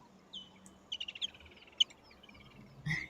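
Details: A Woodland Kingfisher calls in the distance at a wet waterhole in Sabi Sand, South Africa, in January: a high note, then a fast run of clipped pulses trailing into a dwindling trill, with faint hiss and other chirps.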